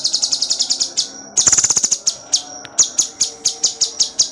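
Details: Cucak cungkok singing in tight bursts for songbird tutoring: quick, high, metallic chips in a fast series, a short dense rattling trill, then evenly spaced piercing notes about four per second.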